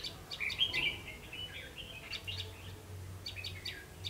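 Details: Red-whiskered bulbul singing as a lure bird at a trap, recorded 3 September 2016 at 5 pm; quick warbled whistling phrases and short chirps, with a low steady hum behind.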